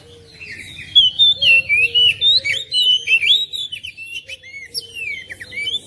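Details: Meant to set off a lazy magpie-robin at home, an oriental magpie-robin delivers a lively flow of quick whistles, slurs and chips, loud and steady at the start, then looser, more broken phrases.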